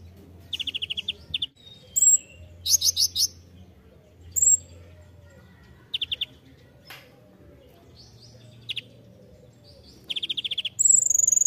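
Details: Master song of a ninja sunbird (kolibri ninja) used to train songbirds: scattered bursts of rapid high chips and short trills, several thin whistles, and a final sustained whistle, with a faint low hum behind.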